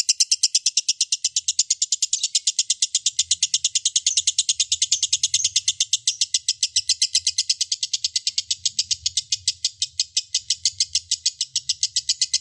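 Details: Lovebird ngekek, long and continuous, offered as therapy to get lovebirds singing. Dense, piercing chattering notes pour out nonstop, with a faint low murmur underneath at times.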